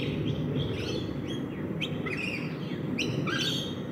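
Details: Rainbow lorikeets feeding in a backyard: short screechy chirps and buzzy squawks scattered across the moment, some sliding downward, over a steady low rumble of background noise.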